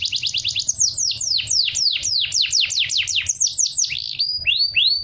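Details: Canary song played to make other birds reply and mimic it: a fast trill turning into rhythmic, loud downward-sweeping notes, ending with a few rising arched whistles, steady low hum behind.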